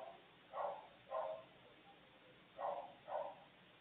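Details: Young maritaca parrot in the nest, heard through a live nest camera: two pairs of short, rough, nasal squawks, each pair half a second apart, separated by a brief quiet gap with soft hiss.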